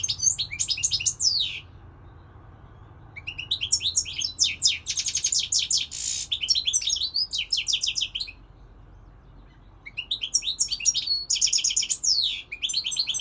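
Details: Singing European goldfinch, noted as one of the best this season: bursts of rapid twittering, buzzy and tinkling notes high in pitch, with a harsh buzzy note mid-phrase, broken by pauses of about two seconds.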